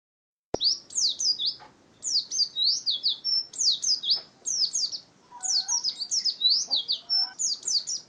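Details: Oriental white-eye singing a ngalas-style wild-type song: quick runs of high, thin, downward-sweeping chirps, tightly packed in bursts of about a second with brief pauses, plus a faint lower warbling note near the middle.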